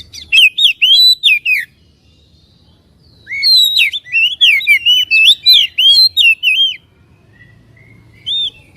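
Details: Excitement-provoking Oriental magpie-robin song, loud and clear ngeplong style; two bursts of rapid, ringing whistled slurs with high chips, the second longer, ending with a few soft, isolated notes.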